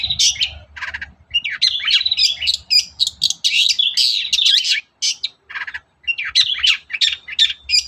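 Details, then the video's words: Long-tailed shrike singing in the morning, a lure recording to make other shrikes sing: a dense, nearly continuous run of varied high chattering and squeaky notes with harsh buzzy bursts, a short pause near the end, then more chatter. "SUARA PANCINGAN BURUNG CENDET GACOR PAGI HARI"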